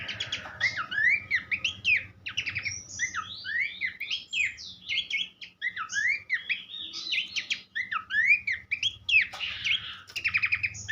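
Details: Rich, continuous song of a Horsfield's babbler, known locally as pelanduk semak, recorded as a tutor for songbirds: fast, varied whistled phrases with sweeping slurred notes and clicks, barely pausing, over a low background hum.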